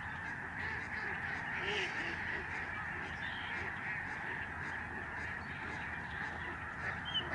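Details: Large flock of Lesser Snow Geese flying in the sky over the George C. Reifel Migratory Bird Sanctuary, Canada, November 2011; a dense, continuous chorus of overlapping honking yelps from many birds, with a steady background rumble.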